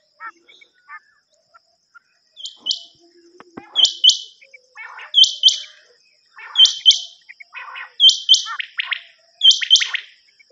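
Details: Common quail call from a cassette recording used for hunting: pairs of sharp, high, rising chirps repeated about every 1.4 seconds, with softer, lower triple notes between them. Faint clicks are heard early on.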